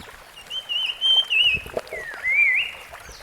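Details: Rusty-fronted barwing in the wild: a wavering high whistle held for about a second, then a dip and a rising slurred note, over faint background chatter.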